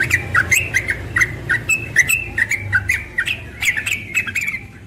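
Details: A young yellow-vented bulbul in the morning, singing ropel style: hurried chattering notes, bright slurred chirps and squeaky accents running together in a nonstop stream, with a soft low hum underneath.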